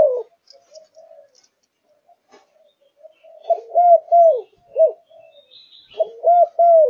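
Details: Zebra dove in fired-up singing condition, starting with faint soft notes, then breaking into a few loud rolling coos and a final phrase near the end.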